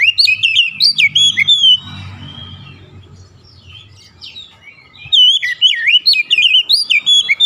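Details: Lure song from an Oriental magpie-robin to set other magpie-robins singing. Fast tumbling whistles and chirps open, a soft muffled rumble fills the middle, then the rapid varied whistled phrases return.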